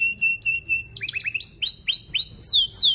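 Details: Canary song used to train young canaries: level whistled notes repeated rapidly, then a series of loud swooping upslurred notes growing stronger.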